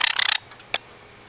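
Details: An apparently annoyed Java sparrow, seemingly upset by the camera, gives a fast, dry burst of about ten harsh clicking chatters in under half a second, then one more sharp click after a pause.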